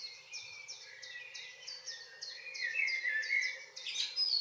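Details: Common blackbird singing on a June evening in northwest Zealand: a rich warbled phrase near the middle, over a steady run of high, short descending chirps from another bird repeated about three times a second, ending in a thin squeak.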